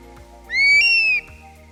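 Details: A Eurasian Stone-curlew, an Amber-listed bird once called the wailing heath chicken for its eerie curlew-like night calls, gives one eerie, wailing whistle that slurs upward and then falls away, lasting under a second, over a faint low hum.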